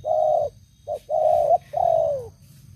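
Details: Caged spotted dove used as an old lure bird, loud-voiced, gives a sustained level coo, a brief short note, another long coo, then a drawn-out coo sliding gently down, over low hum.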